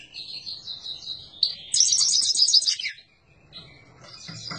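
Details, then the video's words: A Himalayan goldfinch sings a fast, high, tinkling twitter that swells into a bright, dense burst of trills before fading into softer chatter. "تغريد حسون الهيمالايا"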